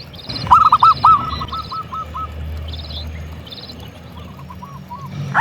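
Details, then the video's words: Local zebra dove singing persistently: a loud, rolling coo phrase of a few trilled notes trails off into a fading series of soft repeated notes. High buzzy chirps are heard around it. "Suara Perkutut Gacor"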